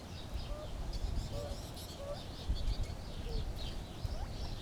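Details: Gambel's quail giving soft, short whistled notes, some slurred downward and some rising, spaced irregularly through a steady hiss of background noise.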